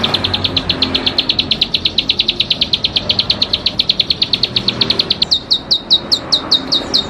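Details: Bar-winged prinia, locally called ciblek padi, singing a loud high trill of rapid even notes, then switching after about five seconds to a slower series of sharp downslurred chips.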